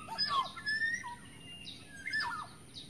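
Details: Wild Black-naped Oriole from the forest, recorded as a lure call: slurred whistles fall in pitch, with a brief bright phrase near the start and another after two seconds. Higher chirps from other birds overlap throughout.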